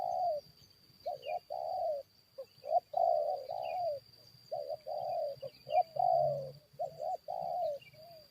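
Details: Decoy spotted dove facing wild forest birds, repeating phrases of clipped double coos and longer rolling coos every second or two, with faint chirps and a thin constant tone in the background.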